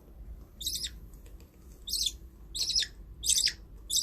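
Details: Pet budgerigars giving short, scratchy chirps in spaced bursts about every second, fairly quiet, over a low steady background murmur.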